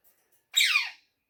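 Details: Pet rose-ringed parakeet, a talking parrot said to speak Urdu and Hindi, giving a single loud harsh squawk that slides downward over half a second, indoors with no other sounds.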